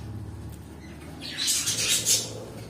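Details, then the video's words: A pet cockatiel lets out one grating, noisy squawk after a quiet start, rising in loudness and trailing off, against low background hum. "My Cockatiel Birds"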